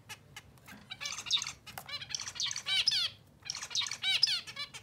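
A zebra finch sings a quick, nasal, buzzy phrase of stacked notes, repeated twice to court a new mate.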